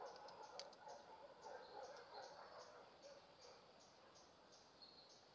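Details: An ashy drongo in Hong Kong gives short, thin high notes about three times a second over a steady murmur of lower chattering and background noise.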